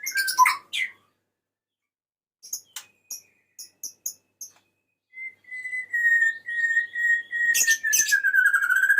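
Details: Male white-rumped shama calling the female: a slurred phrase, scattered high ticks, then a long steady whistle that slowly slides lower beneath sharp chattering notes.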